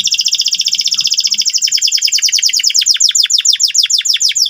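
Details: Loud, persistent canary song used to tutor young canaries in the ngeriwik sound: one long, fast, rattling high trill that speeds into sharper clicking notes, continuous throughout, with a faint low hum early on.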